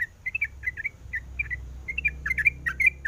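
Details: Female sooty-headed bulbul calling a male: short bright chirps, sparse at first then quickening into a busier cluster of notes, with low hum behind.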